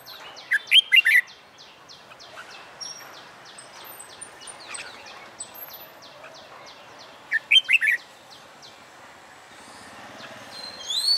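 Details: Red-whiskered bulbul, wild-caught and newly caged for fighting-song training, sings two short bursts of quick fluty whistled notes about seven seconds apart, while a steady fast ticking pulse runs in the background through most of the recording.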